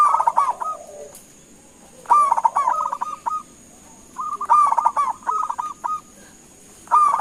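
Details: Lively local zebra dove calling so others respond, each phrase a quick bubbling roll of coos ending in a few separate clipped notes, repeated roughly every two seconds over a faint high whine.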